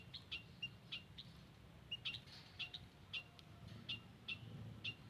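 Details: In a garden, white-headed munias give thin high chirps used as a lure sound, spaced irregularly about every half second, some doubled, with a soft low hum behind.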